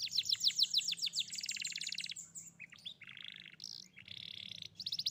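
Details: Atlantic canary song meant to coax a silent young canary into singing: quick descending whistled sweeps, then varied rolled trills, short chirps and buzzy tours switching every second or so, over a faint low hum.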